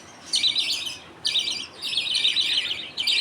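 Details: Father budgerigar feeding two chicks millet paste, the mother looking on in the colony. Three bursts of buzzy, rattling chirps, the last one longest, separated by short silences.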